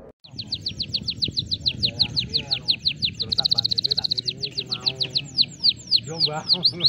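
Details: Canary in 'dor'-style master song for setting other canaries off: an almost continuous run of quick downward-sweeping whistles with a brief dense trill in the middle, over a faint murmur of a human voice.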